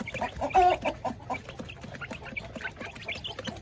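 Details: Kampung (village) chickens in a coop while being fed, many birds clucking at once in rapid, overlapping short notes, one louder squawk near the start.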